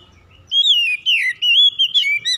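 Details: Oriental magpie-robin (kacer) song used as a lure to get birds that are reluctant to sing going again: clear, loud whistled phrases sliding between high and mid pitch, several notes in quick succession after a quiet start.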